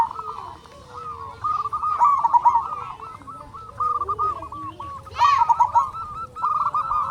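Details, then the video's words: Local Indonesian zebra doves, a recording used as a lure to make other doves sing, give overlapping rolling, hooked cooing phrases at one steady pitch, dense and continuous, with a brief higher rising note near the fifth second. "Perkutut Lokal Gacor RAJA PIKAT Ahlinya Bikin Semua Burung Perkutut Gacor Nyaut"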